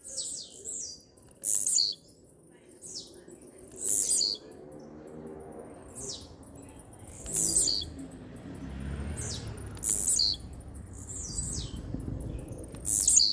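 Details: Blue-black grassquit (tiziu) singing firmly: short, very high buzzy bursts mixed with thin descending whistles, repeated roughly every two to three seconds, with a low rumbling background.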